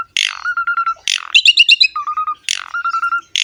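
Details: Asian pied starling song used to lure starlings: harsh squawks each followed by a steady low whistle, with one fast rattling trill between them.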